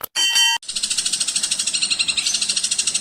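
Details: Long-tailed shrike in full, varied song, used as a tutor recording for other songbirds: a short harmonic note, then a fast, even, buzzy rattle of about ten pulses a second that continues to the end.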